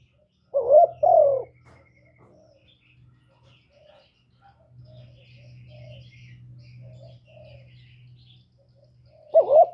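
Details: Spotted dove used as a lure for wild doves: one mellow two-part coo phrase at the start and another at the end, separated by a long stretch of low humming and faint scattered sounds.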